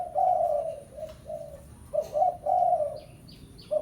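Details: Lure call of a spotted dove, pesom style, meant to call a rival bird: throaty cooing phrases of several notes, a short gap, then a fresh series; small high chirps from another bird near the end.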